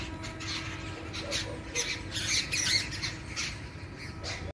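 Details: A flock of babblers, described as yellow-billed babblers, keeps up harsh, nasal squawking chatter, several birds calling over one another in rapid, uneven bursts, with a low steady rumble behind.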